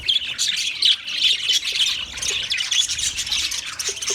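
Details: Budgie song from 14 March 2024: busy, unbroken chatter of bright chirps, clicks and short whistled notes tumbling over one another at a quick, excited pace.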